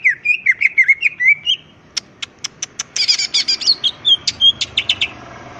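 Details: A greater green leafbird in full energetic song, crest raised: looping whistled phrases, then a string of sharp ticks and a burst of jumbled high chattering notes.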